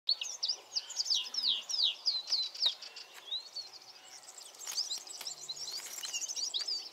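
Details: A European serin sings among flowers: a fast, high, jingling song of sizzling, tinkling notes pouring out almost without pause, with a faint hiss of background noise.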